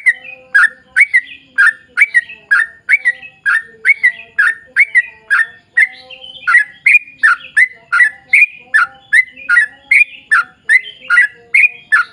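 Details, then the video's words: Sooty-headed bulbul in long, unbroken rapid song used to entice other bulbuls to sing: a dense, even train of liquid, downslurred chirps, about two or three per second, with no other sounds. "trucukan gacor ROPEL PANJANG buat pancingan trucukan agar bunyi"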